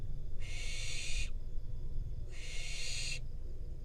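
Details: Barn owl fledgling in the wild in Israel, parents delivering a rodent it then eats, captured by a nest camera. Two loud, rough, breathy screeches of nearly a second each, about two seconds apart, over low hum.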